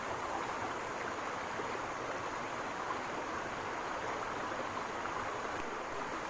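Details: Steady rushing of a stream fills the whole recording, with no calls standing out.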